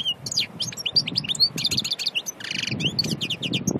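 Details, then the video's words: Pure natural European goldfinch from Annaba, Aïn Barbar, Algeria, singing a continuous dense stream of high twittering, rolling trills and sharp chirps, with a buzzy dry rattle midway; faint low rumble beneath. "Chardonneret Annaba Aïn Barbar"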